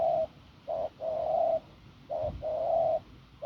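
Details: Wild-caught spotted dove from the fields giving a hoarse strong coo, short low hoots each followed by a longer drawn note, repeated in pairs, with a soft thump in between.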